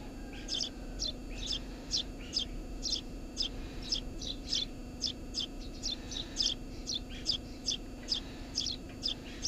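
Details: Eurasian tree sparrow at its nest under a house roof, chirping steadily: short high notes about twice a second for nine seconds, over a constant low hum.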